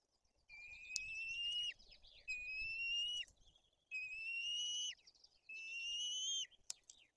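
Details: White-tailed eagle chicks in a Tuchola Forest nest in Poland, fed fish while the older chick is aggressive: four evenly spaced, rising whistles about every 1.5 seconds, with faint clicks and a soft rustling background.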